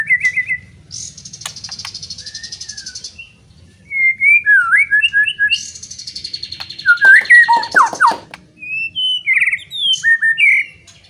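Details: White-rumped shama singing loudly to provoke other shamas into fighting; short whistled notes, buzzy rattling stretches and quick warbled phrases in varied bursts, with a low hum beneath.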